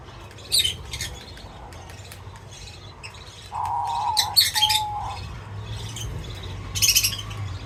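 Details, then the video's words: Wild birds at a feeder, recorded as entertainment for cats: scattered short high chirps and squawks, with a lower whistled note near four seconds, over a steady low hum and rustling. "Crazy Birds Feeding Reaction : Birds Chirping Sounds"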